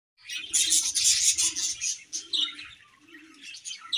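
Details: Budgerigar colony chirping while eating: dense, overlapping high twittering chirps in uneven bursts, loudest through the first two seconds and then fading, with a low intermittent hum beneath.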